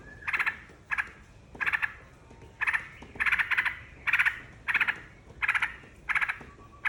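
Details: Yellow-vented bulbul song meant to lure other birds into singing, delivered as steady, bubbling phrases of several quick gurgling notes, repeated roughly every second with short gaps.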